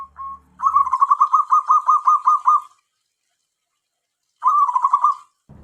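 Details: Tame local zebra dove whose call is used to lure wild doves: a rapid run of about a dozen short, even, rounded coo notes, then a pause and a shorter matching burst. The background is otherwise quiet.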